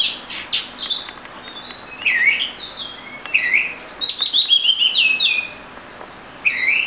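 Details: Varied song of an Oriental magpie-robin: sweet whistles, downward slurs and quick chattering runs, phrases separated by short pauses, with a faint steady low hum underneath.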